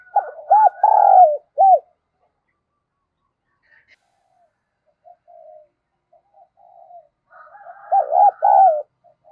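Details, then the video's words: Decoy spotted dove calling to lure wild doves: a burst of rapid hooted coo notes, a long pause with faint scattered sounds, then another quick run of deep coos. "Chim Cu Mồi Gáy Gọi Cực Đỉnh, tiếng chim cu gáy kích bổi hiệu quả mỗi ngày"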